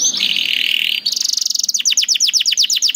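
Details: Canary master song for young birds: a sustained buzzy warble followed by a steady trill of sharp descending notes about five per second, over light background hiss.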